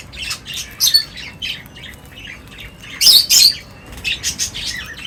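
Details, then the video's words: Birds chirping while gathering to feed, with scattered short tweets and squeaky notes, a few louder sharp chirps around the middle, over a low background hum. "Birds Feeding Time Sounds | Birds Chirping sounds"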